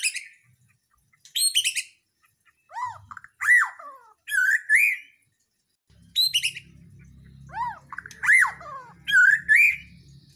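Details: White-rumped shama from Borneo or Nias, in full lively song: loud whistled phrases with arching, falling-then-rising notes mixed with sharp high chatter, given in spaced bursts, with a faint low hum in the second half.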